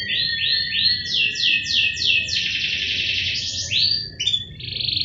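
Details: Kept canary singing during its morning care routine: a run of repeated downward-sweeping whistled notes, then a rapid buzzy rolling trill and a few final short phrases, over faint low background noise.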